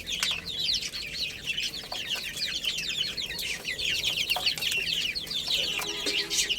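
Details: Chicken chicks playing and eating keep up a steady wash of piercing peeps. Countless short, falling cheeps overlap continuously, punctuated by occasional dry clicks.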